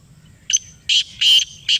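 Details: Black francolin (kala teetar) from Pakistan calling back after a call was played to it: a harsh grating phrase of four rasping bursts, first a short one and then three longer, evenly loud notes, over quiet low background hum.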